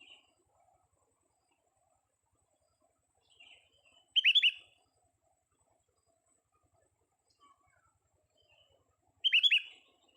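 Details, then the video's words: Young sooty-headed bulbul during a vocal test: two loud bursts of three quick, sharp, descending chirps about five seconds apart, each preceded by a softer twitter, over an otherwise quiet background. "kutilang muda tes VOKAL kicau"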